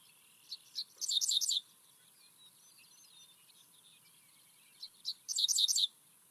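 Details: Dickcissel singing in summer at Kankakee Sands, Newton County, Indiana, twice: two sharp opening notes, then a dry, buzzy, stuttering burst, 'dick dick cissel', with faint thin notes from other birds in between.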